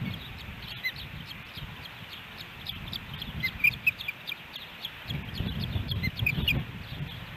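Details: Ospreys on a camera-watched nest at Hellgate Canyon, Missoula, Montana, July 13, 2018, a three-fish day. Scattered high whistled chirps sharpen into a louder cluster midway, over low rumbling noise that swells near the end.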